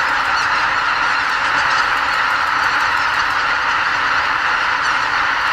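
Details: A record pre-dawn roost departure of about 79,980 greater white-fronted geese at the Ramsar wetland Lake Miyajimanuma, Bibai, Hokkaido, on spring migration north. Dense, overlapping high honks form a roaring chorus that barely varies.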